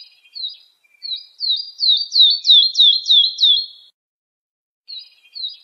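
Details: Lark song played to teach young birds to sing: a fast run of about nine sharp, down-slurred whistled notes, each repeated roughly every third of a second, with brief faint chirps before and after and otherwise clean silence.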